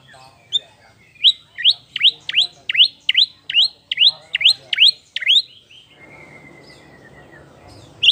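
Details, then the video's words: White-rumped shama (murai batu) lure song for a bird after moulting: about a dozen sharp upswept whistled notes repeated roughly three per second, then a long thin descending whistle and one final note. "pancingan Murai batu paskah mabung"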